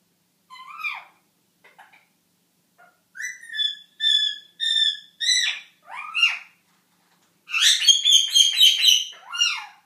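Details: Pet Indian ringneck parakeet, male, eight months old, indoors in the shower practicing how to talk: rising and falling whistled chirps, then runs of clipped harmonic notes and a dense burst of chatter near the end.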